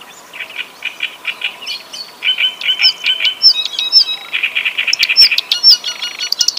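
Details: Fluent reed warbler song with mimicry: grating repeated notes lead into a varied medley of sharp upslurred whistles, rattling trills and squeaky chirps, delivered quickly without pause.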